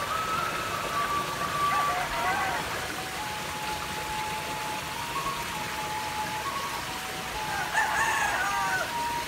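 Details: Distant roosters crowing in drawn-out, wavering, overlapping notes over a steady rush of flowing water, a rural village morning at Ujung Lamuru, Bone, South Sulawesi, Indonesia, July 2021.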